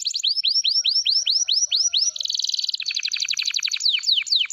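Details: Singing canary: a series of clear rising-and-falling whistled notes, then a rapid buzzy trill and a fast rattling roll that breaks into sharp descending notes.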